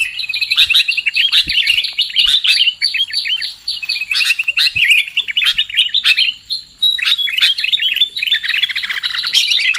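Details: Chattering sooty-headed bulbul calls used as a lure to trap birds: bursts of busy overlapping chirps broken by short pauses, with a faint high steady whine in the background.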